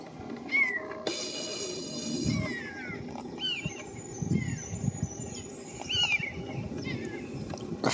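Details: Recently fledged Common Buzzard, supported by its family, gives a handful of thin, mewing, downslurred calls; the louder call is from a parent calling it away. A brief rushing noise and faint background sounds.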